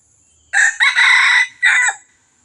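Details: Red junglefowl crow from Johor, played to lure wild birds: a brief first syllable, then a drawn-out harsh middle and a clipped final note, about one and a half seconds in all, with constant high insect droning behind.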